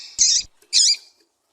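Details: Double-collared seedeater; female call; female calls used to stimulate a male to sing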